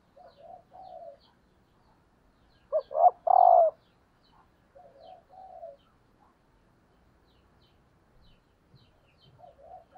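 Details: Decoy female spotted dove calling to excite males. Quiet low coos recur throughout, with one loud burst midway: two short notes, then a drawn-out, husky coo. Faint coos answer in the background.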